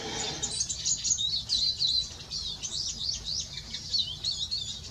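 A male Eurasian siskin sings a fast, continuous twittering stream of high, thin, squeaky notes and short trills, over a faint low rumble.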